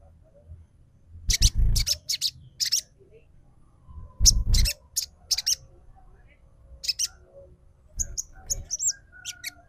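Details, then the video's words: ['Crimson Sunbird calls used as a lure to stir a bird into song: clusters of rapid sharp buzzy notes in quick bursts, then thin high chirps near the end, with dull low thumps.'] "SUARA PIKAT SOGON TROTOL PALING AMPUH UNTUK BAHAN MACET"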